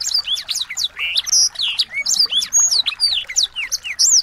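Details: Small birds singing, used as a tutor recording to train a white-rumped shama to sing and to provoke it into agitated song: a dense stream of quick high chirps, sharp downslurred whistles and short twittering notes, with several voices overlapping throughout.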